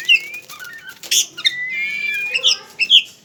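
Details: Caged pet white-rumped shama of the togar type, singing a varied phrase: long thin rising whistles, sharp chips and a buzzy burst, with a faint low hum behind.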